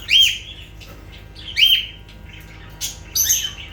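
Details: Lovebirds uttering loud, shrill screechy calls, each a short harsh squeak, about four calls spaced irregularly over a few seconds in a quiet indoor setting.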